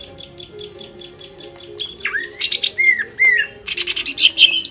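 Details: Greater green leafbird song meant to trigger other birds to sing: evenly spaced high chirps give way to loud swooping whistles and dense buzzy chatter, with a low steady hum underneath.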